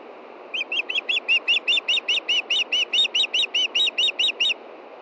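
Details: An osprey hen calls for fish from her Montana nest shortly before dark on a June evening, male fishing nearby; a rapid run of roughly twenty shrill whistled notes, steady and insistent, with faint background noise.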